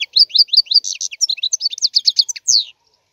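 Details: European goldfinch singing a fast, continuous run of high twittering notes with quick rising and falling slurs and buzzy trills, ending on a longer slurred note.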